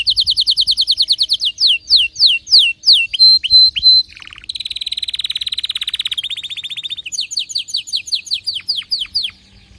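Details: Excited canary song with rapid repeated downslurred notes, sweeping phrases and short whistles, a long buzzy rolling trill, then more quick slurred notes trailing off.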